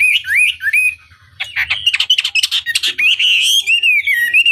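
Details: Lure recording of a Chinese hwamei meant to prompt a competitor's reply: clear looping whistles, then a burst of harsh, scratchy chatter, ending in smooth wavering whistled phrases.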